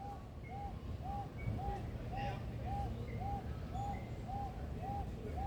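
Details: Nova, a male superb lyrebird at Adelaide Zoo's rainforest aviary, South Australia, mimicking other birds and machinery sounds: a clear, arched whistled note repeated nearly twice a second in a steady series, over a heavy low rumble.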